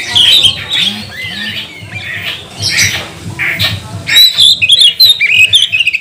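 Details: Lure song of a magpie-robin, meant to stir other birds to sing: rapid bright whistles and slurred notes in uneven bursts, with a quieter gap midway and a low background hum.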